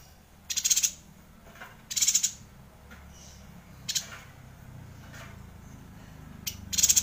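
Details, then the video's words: Yuhina delivering rolling song for White-rumped Shama training: four or five shrill, rattling twitter bursts roughly every one to two seconds, over a soft low hum. "Suara Yuhina Gacor Ngerol panjang"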